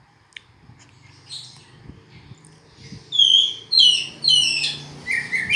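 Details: Oriental magpie-robin singing: a quiet, noisy opening with faint scattered notes, then from midway a burst of loud, varied whistled phrases and high chattering trills.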